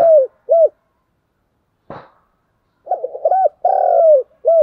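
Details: Spotted dove giving fighting-challenge and courtship coos: two short, low, arched coo notes, a sharp click, then a rougher run of rapid, buzzy coos and a drawn-out note ending in one clean coo.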